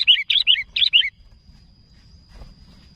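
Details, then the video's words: Sooty-headed bulbul calling to others with a quick burst of five chirpy, slightly falling notes in about one second, then near silence with a thin steady high tone. "Suara Burung Kutilang Gacor Memanggil Kawan"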